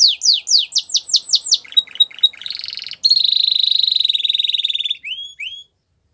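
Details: Spanish Timbrado canary training song: quick descending chirps in series, a short stuttered passage, a long even buzzing trill, then two brief upward whistles before silence.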